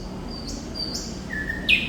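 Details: Brief phrase of thrush nightingale song, Sikatan Londo by its local name: two thin high whistles, a lower level note, then a sharp bright flourish, with faint steady low hum behind.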